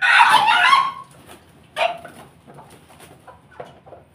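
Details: Chicken, with Bangkok and pelung chickens kept together: a loud, harsh, hoarse burst lasting about one second, followed by a shorter rough note near two seconds, then faint scattered clucks and background noise.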